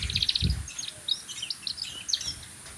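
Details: Canary singing: rapid high trills and short chirping phrases with brief pauses, some low thumps underneath.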